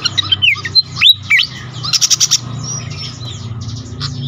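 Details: A Malaysian pied fantail, used as a lure and master call to attract other fantails, gives squeaky, whistled notes that swoop up and down, then a quick burst of dry, ticking chatter, over a low background hum.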